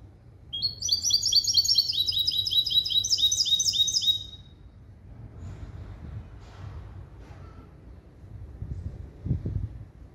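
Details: Hybrid of a male goldfinch and a female canary, schooled in a clean limpio song composed of goldfinch calls, gives a quick run of high, metallic, closely repeated twittering notes for about three and a half seconds, then low background rumble and faint knocks.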